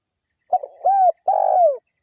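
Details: Spotted dove coo phrase used to lure other doves, from a lively local wild bird: a short broken double note, a smooth arched coo, then a long, slightly buzzy drawn-out coo that slides downward.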